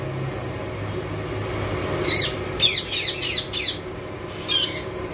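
Indian ringneck parrot giving about six harsh, grating squawks in two quick bursts over a low indoor hum.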